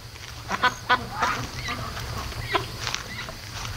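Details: At 3:00 AM, home-raised ducks on day 73 stay awake; a few short, harsh quacks come in uneven bursts against a low humming background.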